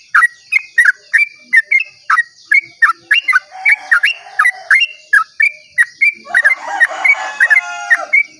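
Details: Long 'ropel' dawn song of a Sooty-headed bulbul, given to lure other bulbuls into singing: a brisk, even series of mellow chirped notes, roughly three per second, while a rooster crows near the end and insects hum.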